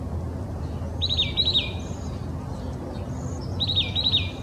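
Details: Singing oak titmouse, Old Torrance in Los Angeles County, California, January 21, 2020: rapid series of clear doubled whistled notes given in two phrases a few seconds apart, with soft background chirps and low rumble.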